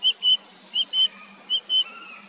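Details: Song thrush song of short, pure whistled notes delivered in repeated pairs, three doublets in quick succession, with soft distant bird notes and a low steady background hum.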